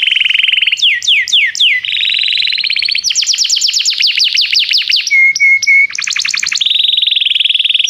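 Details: Canary song from song training, one bird calling another to sing: a steady trill, quick falling whistles, long rapid rolling tours, three short low steady whistles, then fast trills again.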